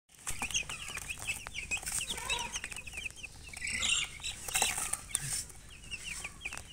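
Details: Baby domestic chicks, colored, chirping together: a steady stream of short, high, down-slurred peeps overlapping in quick succession, with a brief scratchy rustle near the middle.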